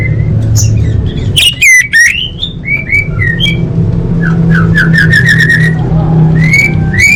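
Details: Orange-headed thrush song played as a lure for caged birds. It is a varied stream of slurred whistles and rising notes, with loud, ringing notes near the start and quick repeated upslurs later, over a steady low hum.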